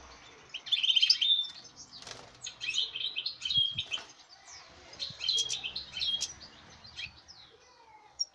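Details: European goldfinch bred this season, recorded 5 August 2019, singing broken phrases of high twittering and short trills in several bursts, with some clicks and rustling noise in the background.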